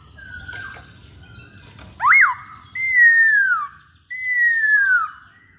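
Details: Actively singing masked laughingthrush gives one sharp upswept whistle, then two long, loud, gently falling whistled notes about a second apart.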